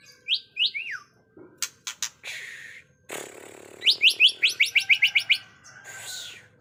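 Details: White-rumped shama song of varied phrases: rising whistled slurs, sharp clicks and a rasping burst, then a fast run of about ten rising chirps, closing with a softer swoop.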